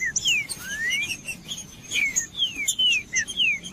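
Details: Green-winged saltator song for warming up caged tournament birds: a rising whistle followed by several loud, clean downslurred whistles spaced about half a second apart, with light high chirps behind.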